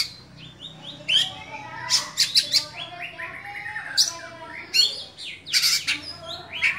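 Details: Oriental magpie-robin singing in a cage, a bird kept for song contests: quick chirped and whistled notes woven with harsh, noisy bursts and high twittering trills, steady throughout.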